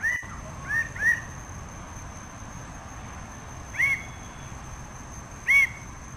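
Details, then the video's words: Red bird-of-paradise producing loud, abrupt, upslurred nasal calls: a quick group of three, then two isolated notes seconds apart, with a steady high-pitched whine behind them. "Canto del Ave del Paraíso Roja"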